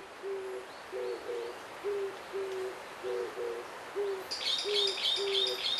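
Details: Oriental turtle dove, a resident bird in Korea breeding in early spring, called gaepukkuji in Gangwon mountains for its deep sound: hollow cooing hoots in single and paired notes, about two per second; other birds chirp near the end.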